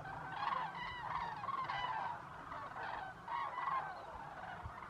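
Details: Common cranes arriving over Zamora lagoons as evening falls, with geese also coming in; many birds give loud trumpeting calls, overlapping rolling notes in quick succession, over a constant low rumble.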